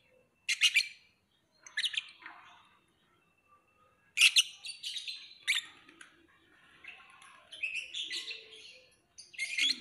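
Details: Lovebird giving shrill, high chirping bursts in short clusters, separated by pauses of one to two seconds, with softer twittering between the louder notes.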